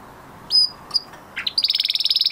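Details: Male canary after moulting, singing a short fragment: a couple of high whistled notes, a lower buzzy note, then a fast, evenly pulsed high trill.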